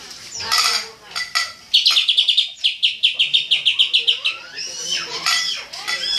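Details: Greater green leafbird in full tembakan song: scattered high chirps, then a rapid series of about twenty clear, evenly spaced piercing notes over two and a half seconds, ending in busy twittering.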